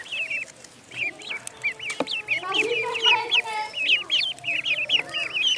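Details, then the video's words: Duckling on a pond peeping rapidly, with a dense run of high, slightly downslurred notes about one per second or faster, overlapping peeps suggesting several birds calling together. "Duck Sound duckling in the pond -duck quack"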